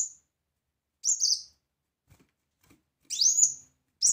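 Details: Sparse, loud high whistles of a brown-throated sunbird: isolated sharp upswept notes separated by short silences.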